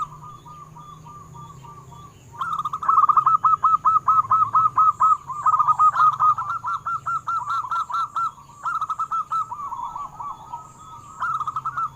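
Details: Local wild-type zebra doves singing as a lure for captive doves: long overlapping runs of rapid, staccato coos, several series layered and repeating for seconds with short breaks, over constant low hum.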